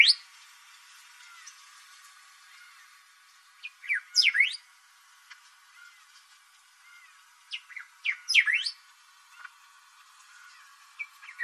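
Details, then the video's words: A Thick-billed Saltator gives two loud, fast phrases of sharp, sweeping whistled notes about four seconds apart, with faint soft chirps between them. "Canto do Bico grosso saltador"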